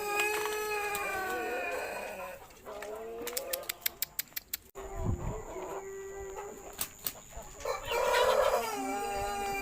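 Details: Jumbo pelung rooster from a champion bloodline, recorded after moulting while hoarse and being treated, gives long drawn-out harmonic crows, one opening the recording and another near the end, with sharp clicks in between.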